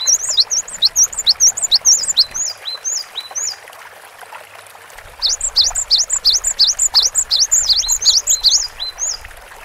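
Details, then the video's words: Cinereous tit singing vigorously, in two bursts of high, thin, quick whistled notes. Each note slurs up and then down, and the phrases repeat rapidly with a short quieter gap in the middle. A faint low rumble sits underneath. "GELATIK BATU GACOR DURASI PANJANG MASTERAN SUARA BURUNG KECIL"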